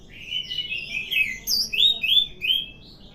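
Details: Energetic orange-headed thrush song, said to increase daily: a continuous stream of clear, slurred whistles in quick bursts, with short pauses and higher thin notes scattered between.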